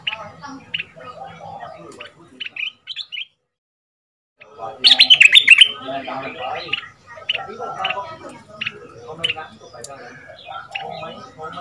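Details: Caged Red-whiskered bulbul, a fierce 'double'-style decoy from southern Thailand played so young birds sing along: a loud ringing burst of chirps after a pause, followed by softer scattered notes and background noise.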